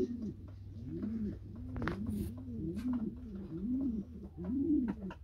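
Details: A pair of Norwich Cropper (pouter) pigeons in molting season; one coos in deep, rolling, arched phrases, about one a second, over a low indoor hum with a few soft clicks.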